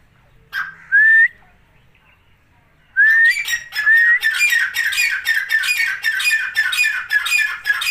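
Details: Four grey francolin chicks, kept apart for warmth in winter and eating live food, give two rising whistled notes, then a dense run of quick repeated chirps and squeaky whistles.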